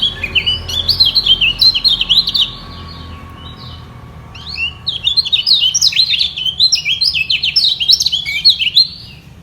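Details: Lemon-bellied white-eye defending its top position in a singing contest, rivals equally strong and unyielding. Two bursts of rapid, high chattering twitter with steeply sliding notes, split by a two-second quiet gap.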